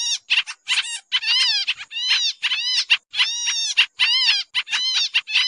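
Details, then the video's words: Sooty-headed bulbul lure sound for trapping, described as noisy: harsh, rasping chatter with arched, down-curving notes grouped into quick bursts about a second long, separated by brief silences. "suara pikat kapasan kemiri/jarakan/cupon putih"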